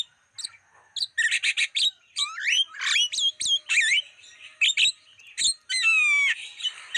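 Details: Javan myna song used as a lure to attract wild birds: rapid chattering notes mixed with clear rising and falling whistles, dense harmonic bursts and a long slurred whistle near the end.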